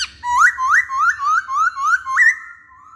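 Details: Masked laughingthrush whistling as a lure to make males answer: seven bright, upward-sliding whistled notes in a steady row, roughly three per second, ending with a held tone.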